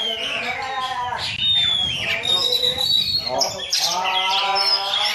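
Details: Javan myna imitation by a young Oriental magpie-robin: nasal, harmonic chatters, a long clean whistle sliding downward, then dense buzzy bursts, loud and sustained.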